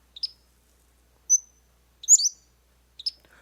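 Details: Pacific-slope Flycatcher song: very high, thin notes in a three-part phrase with a sharp slurred note, a fine whistle and a buzzier burst, then the first note again.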